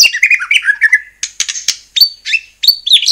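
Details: Song of a white-rumped shama meant to make other shamas sing: tumbling run of varied chattering and warbled notes, then harsh buzzy bursts and short clear rising whistles with brief pauses.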